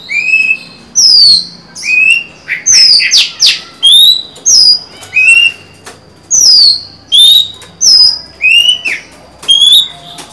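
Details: Singing female Oriental magpie-robin, a kept bird recorded 23 July 2020, luring a male: a steady stream of short bright whistles, some rising, some falling, roughly one or two per second, with a brief buzzy cluster early on.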